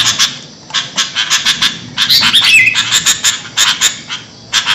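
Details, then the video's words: Sooty-headed bulbul giving noisy calls used to lure birds: harsh, buzzy chattering bursts in uneven groups with short gaps, plus a few brief clear whistled notes near the middle. "Suara burung kutilang ribut buat mikat"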